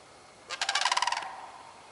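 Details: One rolling, gargling rattle from a sandhill crane, dated 30 March 2015, a burst of quick pulses rising in loudness and fading after about three quarters of a second, with a quiet background.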